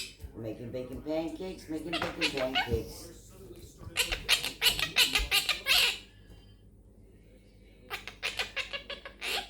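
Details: Indoor pet Quaker parrot chatting, with a repertoire including makin bacon pancakes and thank you baby; low speech-like babble leads into rapid bright squawky bursts, a pause, then another quick chattering run.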